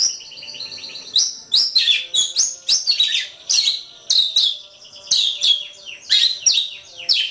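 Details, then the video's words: Training song of a white-rumped shama: dense, loud sequences of high whistled sweeps and chattering notes, a quieter opening second followed by energetic repeated phrases. "Ocehan Suara Burung Kacer"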